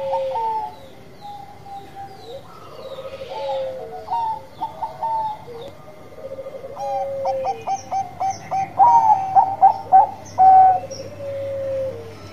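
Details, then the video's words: Bangkok-type zebra dove in lively song over about twelve seconds: repeated phrases of short stuttered notes followed by drawn-out coos, with more than one coo line overlapping and a faint low hum beneath. "PERKUTUT BANGKOK GACOR"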